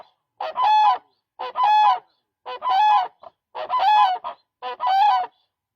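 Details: Five regular, resonant rolling calls from a demoiselle crane (koonj), each about half a second long and spaced about one second apart, against a quiet background.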